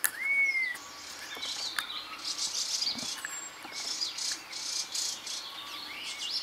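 Red-tailed laughingthrush opens with a clear, slightly falling whistle, followed by scattered high chirps and a thin whistled note over a constant hiss of insects.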